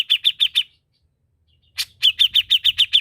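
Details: Grey-cheeked bulbul (cucak jenggot) in gacor masteran song: four quick, high, clipped notes, a silent pause of over a second, then a louder note and a renewed rapid run of repeated bright chips.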